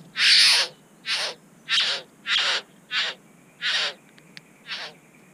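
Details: Satin bowerbird at its bower in NSW, Australia, among several birds, the owner charging and pecking a camera; seven loud hissing, rasping calls, the first longest and strongest, spaced roughly every two-thirds of a second.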